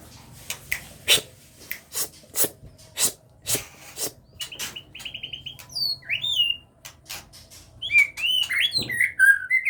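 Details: White-rumped Shama of the Aceh type in a breeding enclosure, with chicks beginning to fly. Repeated sharp clicks and taps lead into short level whistles, then bright twisting chirps and whistled notes toward the end.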